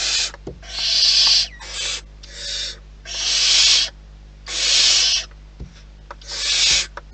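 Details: Wild barn owls at the nest hiss again and again: long harsh breathy bursts of up to a second alternate with shorter rasps, plus a few faint clicks.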